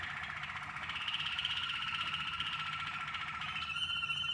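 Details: Waterslager canaries in song training, grouped in bird combinations to shape melody, tone, depth and tempo: a continuous rolling, bubbling warble holding steady mid and high tones, briefly shifting to a brighter, higher pattern near the end.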